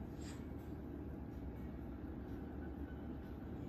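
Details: Steady low rumble of a moving train, with no animal sound.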